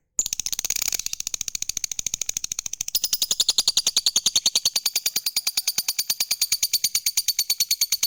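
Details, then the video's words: Gacor lovebird singing a long ngekek trill meant to set other lovebirds off. A very quick, buzzy chatter of high clipped notes pours out continuously, growing slightly brighter partway through and never pausing. "SUARA BURUNG LOVEBIRD Gacor, JAGO NGETIK Bikin Lovebird Apapun Lekas TAMPIL NYAUT NGEKEK"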